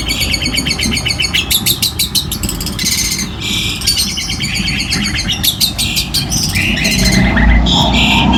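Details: Trained cendet (long-tailed shrike) in full rough 'shooting' song: rapid rattling trills in bursts about three a second, broken by sharp chirps and upslurred whistles, above a low continuous hum.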